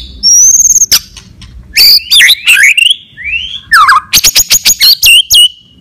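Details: Fighting song of a white-rumped shama used to rouse other shamas: long clear whistles and slurred rising notes alternate with sharp clicks and a fast series of ringing chips.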